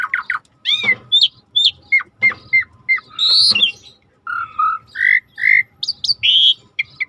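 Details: Rare starling training song with river sounds: harsh squawky chirps, repeated short whistles, a buzzy burst, then a series of rising whistled notes and squeaks, with a low water hiss throughout.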